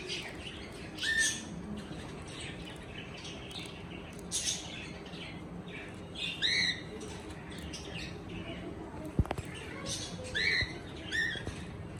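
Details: Cockatiel making short harmonic rising chirps in scattered bursts about every two to three seconds, with a sharp click partway through and a low background hum.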